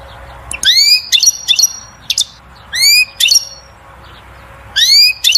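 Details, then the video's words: Batbata song of a European goldfinch, sung to excite the female to mate and build the nest: bright upslurred whistles with crisp trailing chips, a phrase roughly every two seconds, three phrases in all. "بتبتة الحسون أقوى تغريد لتحفيز و تهييج الأنثى على التزاوج وبناء العش"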